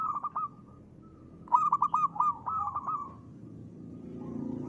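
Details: Local zebra dove, crisp ngristal voice, in active song: a few quick coos, a pause, then a loud run of bouncing staccato notes that flows into sustained coos. A low rushing noise rises toward the end.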